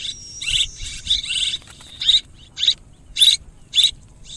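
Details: Swiftlet call bursts: an opening stretch of overlapping buzzy twitters, then distinct loud chirps spaced about every half second, each bright and harsh, ending with a softer trailing burst.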